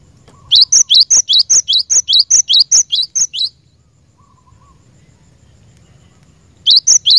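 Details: Cinereous tit used for training caged birds, delivering a steady run of about a dozen bright, high, rising notes, then a pause before the series starts again.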